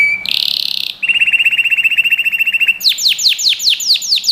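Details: Canary song from a training recording meant for young birds: a short high note, a buzzy block near 4k, then a long rapid trill around 2.5k, ending in a series of quick descending whistled sweeps.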